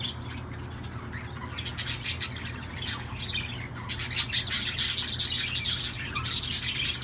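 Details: Singing budgerigars: scratchy, buzzy chatter that starts quietly and grows into a dense, continuous run of rapid high squeaks and chirps over a low background hum.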